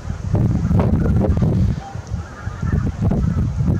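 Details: Big goose flock calling in early April 2021: a tangle of honks that swell, ease briefly near the middle, then build again over low rumbling noise.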